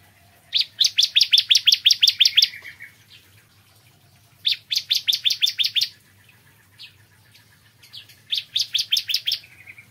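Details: Bar-winged prinia singing in the morning: three bursts of rapid, evenly repeated sharp notes around eight per second, each burst about two seconds long, separated by short pauses with faint soft notes and low hum beneath.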